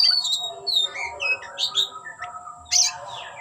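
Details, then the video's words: Brief burst from a displaying oriental magpie-robin with tail opened: clear slurred whistles dropping in pitch, a few squeaky chirps, then a harsh scratchy note, over soft background hum. "Kicau‘an Burung Kacer Ngeplay buka ekor"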